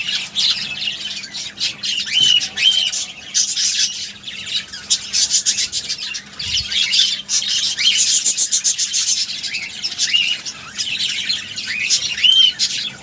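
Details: Budgerigars at feeding time give a steady stream of harsh high squawks and chirps, with short rising whistled notes standing out now and then over the busy chatter.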